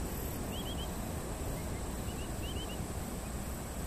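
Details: Terek Sandpiper (Xenus cinereus), a passage migrant in Korea, recorded July–August 2023, gives quick fluty triplets of short upslurred whistles, twice in a few seconds, over a steady low rumble of wind and engine noise.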